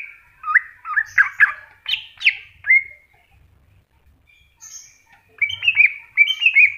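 Greater green leafbird singing lively, varied phrases of sweet whistles and quick chattering notes in two bursts separated by a brief pause.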